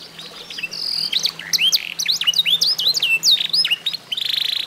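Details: Eight-month-old F1SF canary, mastered with training songs, giving varied swooping whistles and sharp high chips, ending in a buzzy rattle, over a faint low hum.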